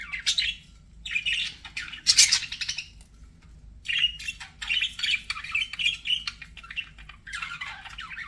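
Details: Pet budgies singing and chirping, used to soothe lonely birds: fast scratchy warbling phrases with squeaks and harsh chatter, broken by short pauses, ending in a lower warbled run.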